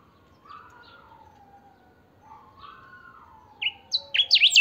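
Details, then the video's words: Saffron finch kept as a singing chiviro, 'pica' style: after soft low drawn-out whistles, a rapid crescendo of shrill, buzzy, zigzag notes repeated in quick bursts, meant to set other chiviros singing. "Pica cantando a full"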